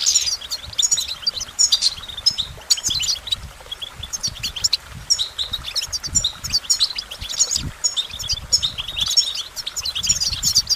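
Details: Goldfinch pouring out a long, continuous twittering song of rapid high chirps, buzzy notes and trills, with faint low rumbling in the background.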